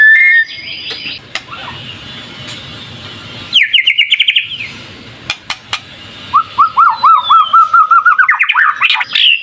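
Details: White-rumped shama singing as a lure, with a quick rising trill, then a long run of bouncing whistled notes climbing in pitch, over faint background hiss.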